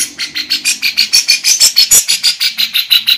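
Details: Female lovebird singing in a style filled with kapas tembak and cucak jenggot phrases, a steady run of buzzy, high chattering notes repeated about three times per second with sharper whistled accents mixed in.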